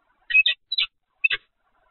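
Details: Peregrine falcon at Evoluon, 7 February 2020, afternoon: three quick pairs of harsh, scratchy notes spread over about one second, clear against silence.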